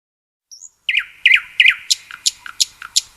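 Common Nightingale song: a soft thin whistle, then three quick liquid double notes and a run of sharp, high clicking notes at about three per second.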